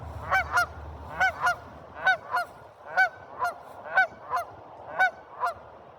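Geese honk in loud, nasal double notes, one pair roughly every second, steady and repetitive against a quiet background.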